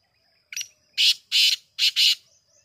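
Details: Black francolin (titar) calling, dated 5-7-2023: a brief sharp lead note, then four loud, harsh, broadband grating notes in two pairs, the whole phrase lasting about 1.5 seconds against a quiet background with a faint high tone.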